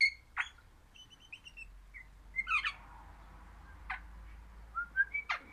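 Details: Singing crimson rosella of the orange pennant form, a happy pet parrot: scattered clear whistled notes, a short fluty phrase, and a few sharp squeaky chirps separated by brief pauses.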